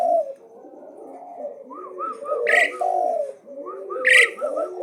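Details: Asian pied starling in nonstop song, undaunted and challenging: low liquid warbling beneath strings of short arched whistles, broken twice by loud harsh rasping bursts.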